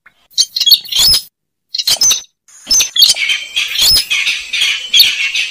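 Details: Lure sound of a slaty-breasted rail: scratchy squeaky notes that turn into a sustained, dense, rasping chatter.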